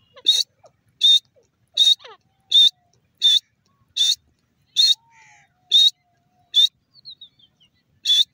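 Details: Grey francolin (teetar) calling: loud, harsh, ringing notes repeated steadily about every 0.7 seconds, with faint softer bird chirps between them.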